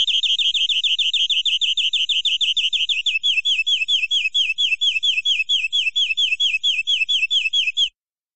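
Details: Local forest-origin canary giving full-filler cengkok song: a rapid high trill of repeated notes that, around three seconds in, switches to a slower series of downslurred chirps, continuing for about eight seconds before stopping.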